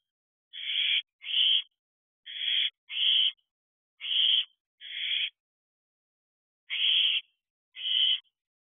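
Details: Owlets in a nest box, recorded at 2:12 am on 7/2/23, with at least one young female hatched in April: eight harsh, breathy hissing screeches, each about half a second, delivered in loose pairs over eight seconds against silence.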